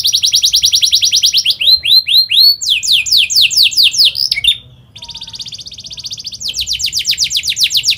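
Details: Fast rolling canary song for teaching young canaries: dense trill, descending chirps, upswept notes, a short break, then steady buzzy roll and sweeping trill.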